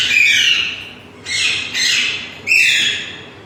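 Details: Green parrots, said to be singing "Mian Mitho Chori Khao gy"; three loud, harsh, raspy squawks, each about a second long and falling slightly in pitch, follow one another closely.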